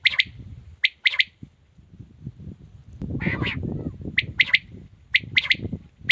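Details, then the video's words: Male quail delivering sharp, clipped three-note phrases, broken by one longer, rough, rasping burst midway, then the quick pip triplets resume over low rumbling noise. "Amazing quails calling | batair ki zabrdast awaz"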